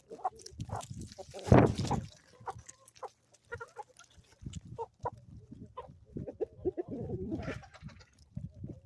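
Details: Morning chickens on a homestead in the Ozarks, with a loud burst of squawking early on, then scattered low clucks and soft murmurs over steady background rustling.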